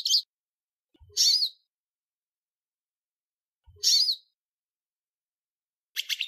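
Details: Hooded siskin, a metallic song type used for tutoring young birds, here as four short, sharp, high chirps spaced irregularly over six seconds, with long silences between them.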